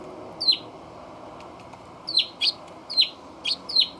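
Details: Eurasian tree sparrow on a balcony with a feeder, 28 October 2020, RX100M5A camera: loud, high chirps that slide downward, one alone and then five in quick, uneven succession over faint background hum.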